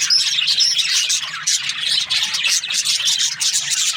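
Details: Morning chirping from several budgies, opening with two clear whistled notes, then a crowded, rhythmic patter of high scratchy chirps and warbling chatter, with a low hum in the background.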